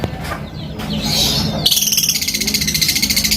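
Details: Lovebird fighter calling rivals; after a noisy start with a brief squeal, a rapid high pulsed chatter begins and continues steadily to the end.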